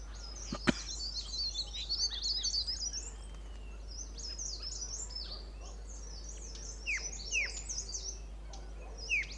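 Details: Two White-cheeked Bulbuls on a shrub in a sanctuary at Pari Tibba, Motidhar, calling amid a chorus; a Hill Barbet also calls nearby. Rapid high twitters early, then spaced steeply falling whistled notes, with a few clicks.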